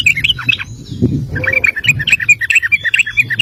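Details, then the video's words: Sooty-headed bulbul singing in a long recording used as a master for training other birds: bright chirpy notes repeated in quick succession with a low rumbling background. "Trucuk Ropel panjang cocok buat masteran burung anda!"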